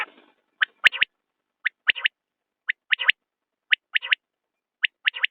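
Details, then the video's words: Common quail giving its clipped three-part call, one high note then a fast double, repeated steadily about every second against a silent background. "بٹیر کی آواز/ quail bird sound"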